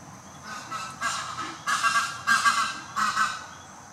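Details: Male canvasback duck calling to newly arrived females: four hoarse, breathy bursts, each under half a second, spread over about three seconds above a low background hum.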